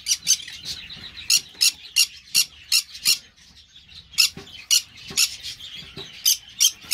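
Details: Green-cheeked parakeet giving harsh, high, raspy squawks in short bursts, about three per second, sometimes in quick pairs, with a brief pause near the middle; an indoor setting with faint background hum.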